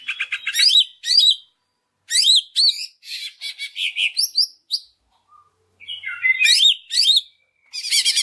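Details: Lure song of a greater green leafbird, intended to lift other leafbirds' spirits into full song: clusters of sharp high chirps, buzzy trills and looping whistles, broken by short silences.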